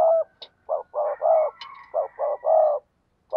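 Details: Cooing spotted dove, a keeper's bird: a rhythmic series of low rounded coos with longer drawn notes, a faint high whistle running behind, and brief clicks.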